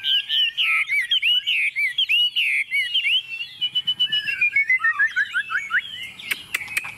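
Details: Tame Chinese hwamei singing confidently on a table: loud, rich, rolling whistled phrases repeated quickly, shifting to softer rapid twittering and a few sharp clicks at the end.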